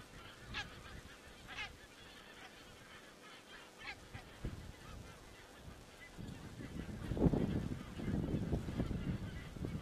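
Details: Geese recorded by a crane webcam in Estonia on 27 September 2017: a few clear ringing honks in the first four seconds, then a rise of low rumbling noise with faint calling behind it.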